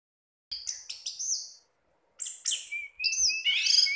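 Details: Pet orange-headed thrush, relaxed and singing contentedly, gives two bursts of rich, high, varied phrases: quick chirps, slurred whistles and warbles, with a short pause between them.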